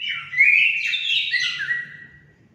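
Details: Orange-headed thrush song used to stimulate caged birds into singing: one dense, sweet warbling phrase of slurred whistles that fades out toward the end.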